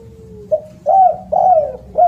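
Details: Spotted dove with a loud, sweet voice: a low sliding note leads into a short coo, then two long arched coos and the start of another.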